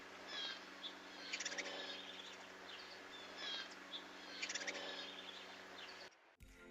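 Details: Fledgling Baltimore Oriole at a grape-jelly feeder in midsummer, newly out of the nest, gives persistent, harsh chattering begging calls so its parents can find it; a parent is right there with fresh grape jelly.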